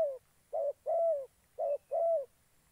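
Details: Spotted dove used as a decoy in bird trapping, Gia Lai, Vietnam: five low, mellow coos, some short and some drawn out and slightly falling, in two groups within three seconds, with quiet background.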